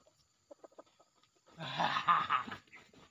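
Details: Wild red junglefowl, which arrived with its young male offspring during lure trapping, gives a short, harsh, broadband call of about one second after a few soft scattered clicks and rustles.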